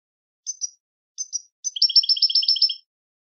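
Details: Two paired high chirps from a European goldfinch, then a third leading into a rapid rhythmic trill of bright tinkling notes lasting roughly a second, in quiet surroundings.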